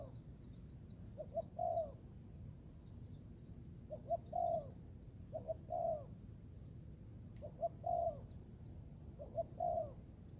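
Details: Young Thai spotted dove being trained in the forest, cooing: two short soft notes then a longer slurred coo, the phrase repeated about every two seconds, five times, over low rumbling background noise.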